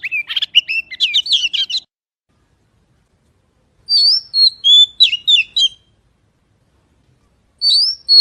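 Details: Magpie singing clear, high, varied whistled phrases, rapid rising and falling notes in three short bursts separated by silent pauses of about two seconds; no other sounds.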